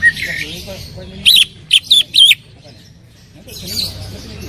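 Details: Greater green leafbird giving a loud 'tembakan' burst: four sharp, high, scratchy notes in quick succession, preceded by a softer warbling phrase and followed by faint twittering.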